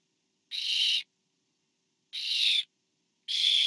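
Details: Barn owl parent feeding an owlet in the nest, September 2015: three loud, wheezy screeches, the first two separated by a long pause and the third following more quickly.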